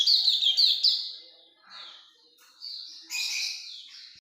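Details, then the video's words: Hume's white-eye singing steadily: thin, high twittering, with a bright run of rapid notes at first, then softer, broken warbled phrases and a renewed high burst near the end. "Pleci Auriventer gacor ngalas longgun"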